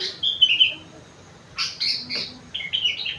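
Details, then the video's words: Sooty-headed bulbul (kutilang) song stuffed with rengganis and cucak wilis phrases: bright whistled notes sliding downward, a pause, then a burst of sharp chirps and quick warbled figures. "burung kutilang isian rengganis / cucak wilis"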